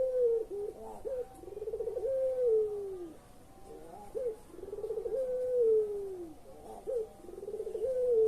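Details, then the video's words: Pelung-style collared dove cooing, used as a lure to get quiet birds calling: two complete phrases, each a hooked opening note, a rapid rolling trill, then a long slowly falling tone, with a third phrase beginning. "SUARA BURUNG PUTER PELUNG"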